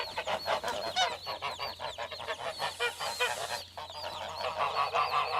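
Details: Goose flock honking continuously, many overlapping nasal calls in rapid succession, dense and chattering, with a brief lull before the clamor resumes.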